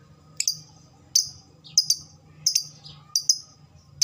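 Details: Lovebird chirping, played to trigger fast chattering (ngekek) responses: bright, high squeaks, some in quick pairs, repeated a little more than once per second over a faint low hum.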